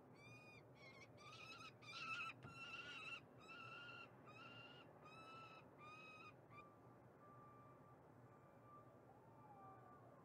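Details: Female peregrine falcon in Montreal, Canada, giving harsh, nasal calls about once or twice a second, fading into thinner drawn-out whines, over a low rumble.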